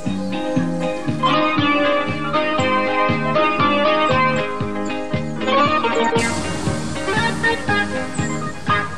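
Organ-led electronic music with a steady thumping beat and sustained chords throughout; no animal sound is heard.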